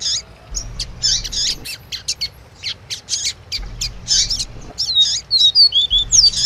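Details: Seedeater of the double-collared kind singing 'tui tui' with a female's call used to stir the male: irregular high chirps, then quicker twittering and clear rising-falling whistles, a low hum coming and going.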